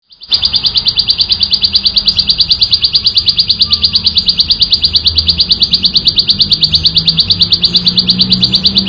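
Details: Ciblek sawah, a prinia, recorded in the wild, singing in loud, clear continuous ngebren style: a steady train of sharp buzzy notes, about three per second, running without a break through the whole stretch.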